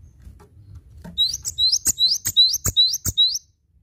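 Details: A single long phrase of about nine loud, high, evenly spaced two-part notes from a cinereous tit, rising slightly at each note's end, over two seconds.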